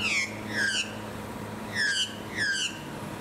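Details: Blue-faced honeyeater filmed on the Sunshine Coast, Queensland, in February 2020. Loud, descending, whistled notes come in pairs, roughly four calls in three seconds, over a low steady hum.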